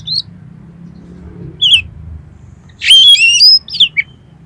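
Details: Kacer, the Oriental magpie-robin, singing to trigger another kacer into song and tail-spreading: a few spaced chirps, then a loud, rich burst of overlapping whistles and quick descending notes.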